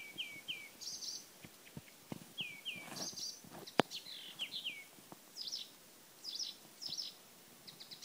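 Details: Blyth's reed warbler singing at Lindö udde in 2011: varied phrases of slurred, down-sliding whistles and high buzzy notes, many given twice in quick succession, with clicks and soft rustling in the background.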